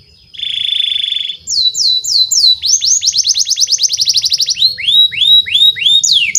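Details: Domestic canary singing as a lure for young birds: a steady buzzing trill, slurred whistles, then a fast run of descending notes and slower curved whistles.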